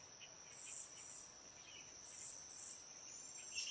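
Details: Cedar waxwings in a backyard flock give very high, thin, hissing trills in short bursts roughly every half second to second, over a steady high insect-like hum.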